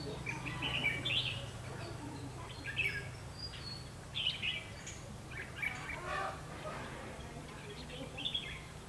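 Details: Red-whiskered bulbul, a 'mí lửa' bird, recorded during trapping on 31 October 2016; short bright chirped and warbled phrases come in scattered bursts, with a low steady hum and faint background noise.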